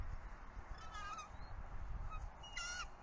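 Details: Bald eagle nest at Berry College on 10 February 2018 around 8:30 am during a change of guard, the male now incubating eggs; faint thin whistled chirps, a few brief sliding notes, over steady low wind rumble.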